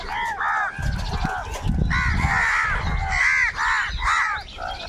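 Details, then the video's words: A chorus of crows fighting for food keeps up continuous hoarse cawing, many birds overlapping, with low rumbling noise underneath. "কাকের ডাক Crow Sound Crow ki Awaz Loudly | Huge Numbers of Crows Crowing and Crying sounds"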